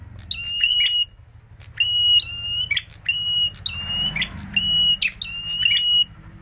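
A prinia gives loud, high, sharp trilled phrases with flat whistled notes, repeated roughly every second and a half, over a faint low rumble.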